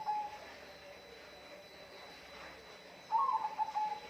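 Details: Bird song fragment: a brief flat whistle at the start, then after a quiet pause a fuller call of wavering whistled notes that settle into a sustained even tone.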